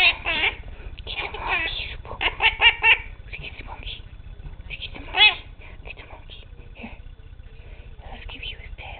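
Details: Pet male Quaker parrot hiding from a toy monkey, silly and shy: harsh, scratchy chattering squawks in dense bursts over the first three seconds, one more loud burst later, then quiet, with an owner's voice around.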